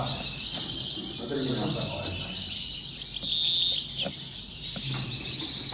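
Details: Several European goldfinches twittering together in a dense, continuous high chatter of quick chirps and trills, with faint low hum beneath.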